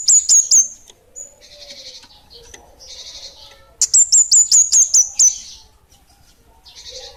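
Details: Kemade, the orange-headed thrush, singing energetically as bunga api kecil: three piercing high notes, buzzy rasping phrases, then a run of seven rapid downward-slurred high notes and another buzz.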